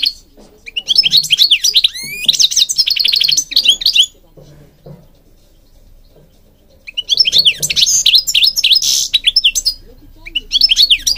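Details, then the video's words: Two bouts of lively goldfinch song, European goldfinch, separated by a silent gap: rapid tinkling notes mixed with harsh buzzy trills and quick twitters, all high-pitched. "Singing Goldfinch King goldfinch singing"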